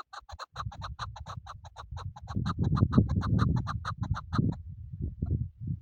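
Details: Chukar partridge used for hunting, delivering a quick regular series of harsh clucking chuck notes for about four and a half seconds, then falling quiet, with continuous low rumbling noise underneath.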